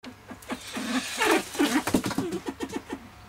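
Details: Mrs. Hume's pheasant, captive at a pheasant breeding farm, giving a rapid run of low, short clucking notes. The notes are irregular, about three per second, and grow louder toward the middle, over a low background hum.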